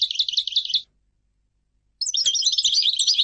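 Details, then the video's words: European goldfinch song in two bursts: a short run of fast tinkling twitters, a pause of about a second, then a longer lively twittering phrase of high, liquid notes. "Goldfinch singing - canto del cardellino"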